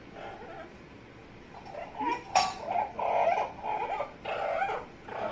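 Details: Pet Amazon parrot making funny noises indoors: a quiet stretch, then a sharp click followed by bursts of nasal, warbling chatter with wavering harmonic tones.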